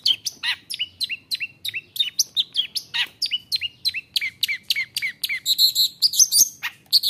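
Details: Long-tailed shrike singing hard to provoke rival shrikes: a steady string of sharp, downward-sweeping whistled notes, about three per second, ending in higher, more complex squeaky phrases.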